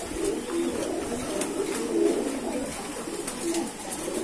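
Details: Pigeons in a keeper's loft cooing: low, soft, bubbling coos in short repeated phrases, steady background hiss throughout.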